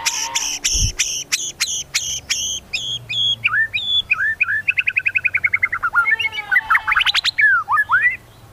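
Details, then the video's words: Medan-type white-rumped shama singing richly, with mimicry of cililin and cucak jenggot: a row of hard clipped notes, looping whistled slurs, a fast buzzy trill, then ringing rising and falling whistles. "MURAI BATU MEDAN GACOR FULL ISIAN TEMBAKAN CILILIN SAMBUNG LIVEBIRD CUCAK JENGGOT"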